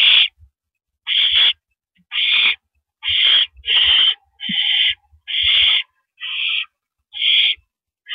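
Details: An owl at its nest passes a rabbit to its mate at 9:14 PM on 9 April 2012. Harsh, hissing screeches sound roughly once a second, about nine in a row, with soft thumps between them.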